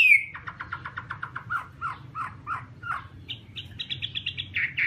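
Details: Chinese hwamei song: a quick series of short repeated chirping notes, slowing into separate slurred notes, then a higher rapid run of repeated whistles; a steady low hum lies underneath.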